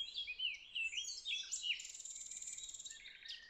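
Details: Common nightingale, secretive bird surveyed at night, sings a fast tumbling phrase of high slurred whistles and warbles, then a dense rattling buzz and a final rising whistle, with a quiet background.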